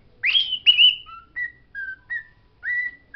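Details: Pet bird singing words it has learned: two loud, rising, slightly raspy whistles followed by four short, clean, level whistled notes at a mid pitch, spaced about half a second apart.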